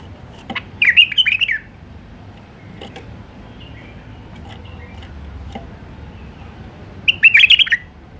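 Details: Two quick, throaty warbled phrases about six seconds apart from a wild White-eared bulbul in Alwazi style, with scattered faint clicks and a soft hum in between.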